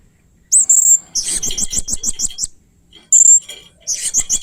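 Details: Blue-crowned hanging parrot in 'main singa' play, voicing strange and fierce sounds: a long piercing squeal followed by a buzzy rapid series of high chips, then a second shrill squeal and another fast chattering run.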